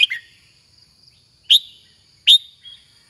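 Red-whiskered bulbul giving three bright, sharp chirped notes at uneven gaps, over a faint steady high-pitched whine.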